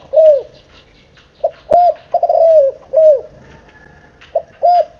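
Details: Spotted dove, seven months old, cooing in a rhythm of short and long downward-curving coos, irregularly spaced, with faint chirping and a click in the background.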